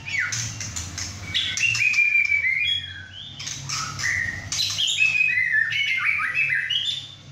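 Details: Six-and-a-half-month-old male White-rumped shama kept at home, freshly moulted, singing hard in a first session with two other birds: rapid clear whistled phrases mixed with harsh scratchy notes, nearly continuous.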